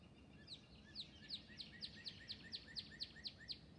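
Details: Wild northern cardinal calling from a tree above a feeder in Northern Virginia woods while a chickadee visits the feeder. It gives a fast series of about fourteen sharp, downslurred notes, roughly four each second, over soft outdoor background noise.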